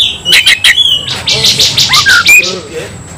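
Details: Caged white-rumped shama singing in a fighting state: loud whistled notes mixed with harsh buzzy bursts and rapid chattering, fast varied phrases at high pitch.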